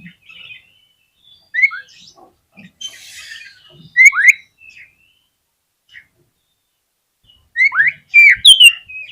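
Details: White-rumped shama song for triggering other shamas to sing: scattered soft twitters and a brief noisy rasp, then loud paired downslurred whistles, with a final burst of bright, rapid whistled notes.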